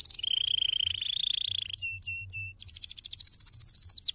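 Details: Canary in a cassava garden: a sustained, rolling buzzy trill, then three short clear whistles, then a fast, loud chattering trill at high pitch, over soft low background noise.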